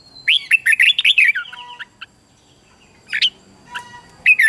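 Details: Red-whiskered bulbul song for training young birds: a rapid opening phrase of bright, warbling whistled notes, a long quiet gap, then isolated sharp notes and a final brief warble.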